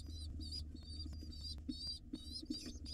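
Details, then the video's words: Wild pigeon nestlings in a nest box being fed by their mother, giving thin high squeaky notes in quick irregular bursts over a steady low hum. "Pigeon Mom feeds her hungry nestlings for 13 minutes!"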